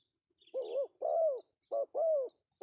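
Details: Pesom-style male spotted dove calling, used to draw in other doves: a short coo and a longer rounded coo, then the same pair repeated, soft and low-pitched against near silence.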